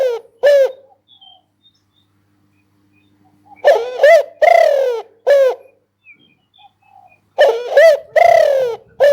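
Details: Spotted dove cooing: loud, harmonically rich coo phrases of a short note followed by a longer, downslurred note, given in three bursts separated by a few seconds of quiet.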